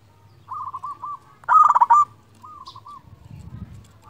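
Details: Local Indonesian zebra dove, an actively singing male used as a lure to call rivals and stir other doves, gives one loud, rapid stuttering burst of cooing notes mid-clip. Softer rolling coos come before and after it over a faint low hum.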